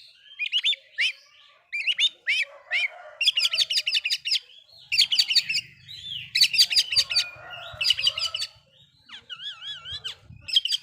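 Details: Oriental magpie-robin song meant to provoke rival magpie-robins: varied bursts of sharp chirps and rattling notes, short whistled slurs and a wavering trilled phrase near the end, with gaps between phrases and a faint low hum beneath.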